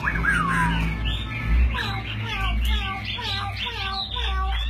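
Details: Chinese hwamei kept as a fighting bird in display, with a falling whistled slur at first, then quick bursts of rich, rolling, warbled notes. A low steady hum and background voices sound throughout.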